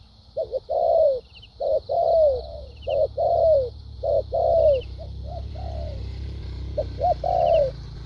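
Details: Spotted dove performing structured thúc gù and lèo dặm cooing: a run of throaty coos, short notes leading into longer falling ones. The bird pauses midway and then resumes over a low hum and high hiss.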